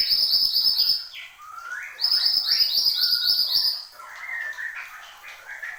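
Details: A mantenan gunung (Horsfield's babbler) in lively song delivers rapid bursts of high, ringing chirped notes, pausing between bursts for lower slurred whistles, with faint clicks throughout.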